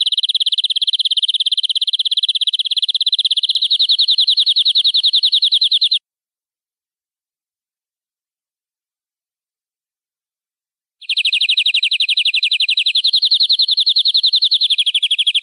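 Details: Canary in a long-running gacor, nembak-style song: six seconds of dense, rapid rolling trill, a five-second silence, then another long, fast trill whose pitch shifts slightly partway through.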